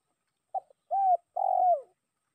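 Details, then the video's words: Spotted dove lure call to draw a rival: a short soft note, then two longer, mellow coos, the last fuller and slightly burry, nothing else heard. "Suara pikat tekukur memanggil lawan"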